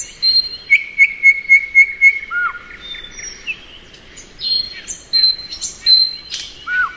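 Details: Thrush nightingale in spring opens with about six rapid, evenly spaced whistled pips. Scattered high whistles, a dropping slurred note and short buzzy accents follow.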